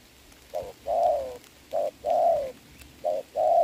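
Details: Rainy-day trapping contest with a Spotted dove decoy and a wild bird, 26 November 2022: three mellow coos, each a clipped first note and a drawn-out second note sloping downward.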